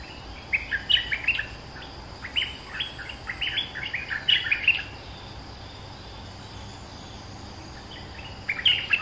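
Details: Caged bulbul, two months in the cage, used as a lure: bursts of bubbly, warbled mid-pitched phrases in short clusters with pauses between, over a steady hiss of background noise and insect hum.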